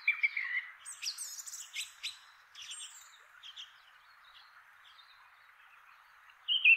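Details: Male Song Thrush calling from a chestnut treetop, inland Kapiti, New Zealand: fainter, varied high squeaky and twittering phrases over a soft hiss, ending with a louder clear whistled note.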